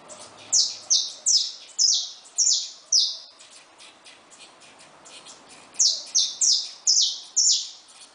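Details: Caged saffron finches, parents of freshly hatched chicks, deliver a series of six loud, high, falling notes. After a pause of about two seconds comes a second run of five similar notes.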